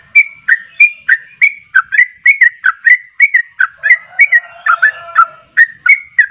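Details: Sooty-headed bulbul repeating crisp, bright whistled notes in a fast, even rhythm, a softer lower warbling note briefly audible midway behind them.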